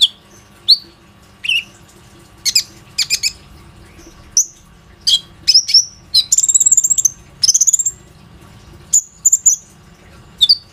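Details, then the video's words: Phone recording of an active Plain-throated sunbird used to draw other sunbirds into song: scattered sharp high chirps and short slurred whistles, with a rapid buzzy trill of thin notes around the middle. "PANCINGAN KONIN GACOR INI PANDAI MEMANCING KOLIBRI NINJA LAIN AGAR IKUT RAJIN BUNYI"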